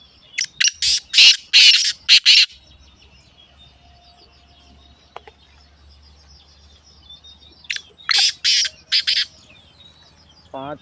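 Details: Black francolin kept as a pet, in winter; a call to play so a quiet pet francolin starts calling. A rapid string of six scratchy, grating notes is followed by a lull, then another harsh series and a short wavering note.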